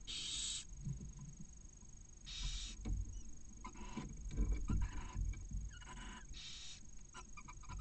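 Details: Barn owl inside a nest in Cabañeros National Park, Spain, as the male arrives with a mouse beside a chick hatched a couple of hours earlier; harsh broadband hissing bursts, about half a second each, with soft rustling and thumps in the nest.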